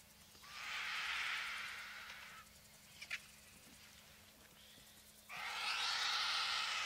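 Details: Vultures squabbling at the carcass of a bull African savanna elephant killed in a fight, beside a road in the African bush: two long, harsh, rasping hisses separated by a quieter gap with a couple of brief clicks.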